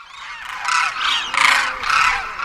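Cranes give loud, harsh, trumpeting honks, about four in quick succession roughly every half second, with a rough, ringing tone.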